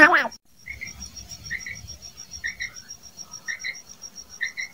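A female common quail gives soft, paired notes about once a second, over a steady high insect-like pulsing and a brief thump at the start.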